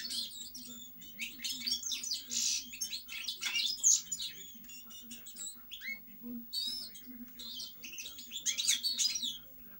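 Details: Goldfinch singing continuously in rapid jangling twitters and chirpy notes, with sharp ringing accents, a short drop in activity midway, then a lively final burst; a steady low hum underneath.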